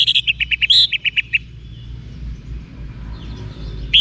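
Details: Orange-headed thrush in 'wiksar' song for provoking caged thrushes to respond: a fast series of about a dozen short, clipped, evenly repeated notes over just over a second, then near silence before one loud note at the end.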